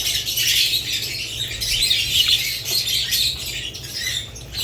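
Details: A group of budgerigars keeps up a busy, scratchy chatter of high chirps and squeaks without pause, a constant low hum underneath.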